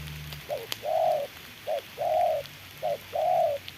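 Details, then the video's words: Trapping decoy spotted dove, fighting a wild bird as rain falls, repeats a two-part coo three times: a quick clipped note then a sustained, gently arched coo, with a sharp click early on. "Bẫy chim cu gáy mồi đấu cùng bổi trời mưa"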